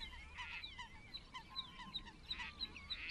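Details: A water rail calls at Rutland Water Nature Reserve in January 2022, giving rough, grating squeals in uneven bursts, mixed with faint twittering from other birds.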